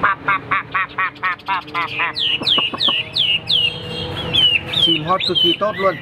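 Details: Caged Hwamei during a fighting display: a rapid stuttering series of repeated notes gives way to bright, downward-slurred whistles and varied chattering phrases.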